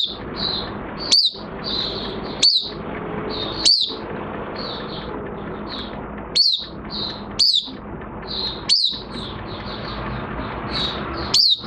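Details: Caged Oriental white-eye in minor moult delivers ringing downward-sweeping high notes about once a second, interspersed with thin quick twitters, over a constant low background noise.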